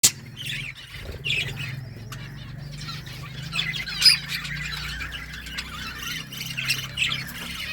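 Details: Pet budgerigars chattering among themselves, a soft, continuous wash of high warbling chirps with a few sharper notes standing out, over a low steady hum.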